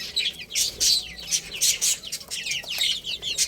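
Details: Chicks playing and eating, giving piercing, rapid peeps in dense bursts, alongside brief broad rustling or pecking noises between the calls.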